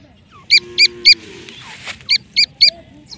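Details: Francolin (teetar) calling: sharp, high, hooked notes in two bursts of three, about three notes a second, with a short pause between bursts over a low background murmur.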